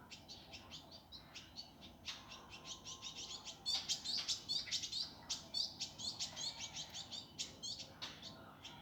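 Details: Indigo flycatcher master song in the gavor kasar, fast and tightly packed style: a continuous stream of sharp, rapid high chattering notes and squeaky flourishes over background hiss.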